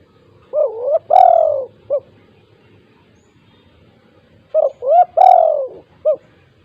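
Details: Spotted dove (tekukur), "kuk 2" gacor calling used as a lure for lazy doves: the four-note coo phrase given twice, about four seconds apart, each with a long falling middle coo.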